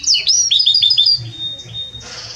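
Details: Belgian canary, loud and warm in tone: quick looping whistled notes, then a long thin steady tone, followed by a brief hiss-like burst.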